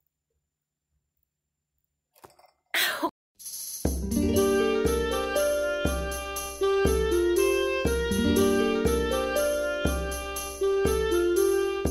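A short silence and a couple of clicks give way to steady plucked-string and keyboard music, with no animal sound heard.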